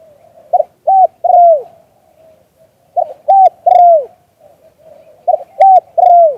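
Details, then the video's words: Live recording of a spotted dove singing in the liu tan style: three-note phrases of two brief hollow coos and a drawn-out downslurred coo, repeated three times about every two and a half seconds. "เสียงนกเขามงคล หลิ่วตัน"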